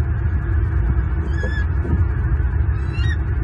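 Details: Pair of wild bald eagles mating at dawn on the nest patio in Southwest Florida, 29 November 2022, heard through a live nest cam: two brief high, stuttering calls over a loud steady low rumble.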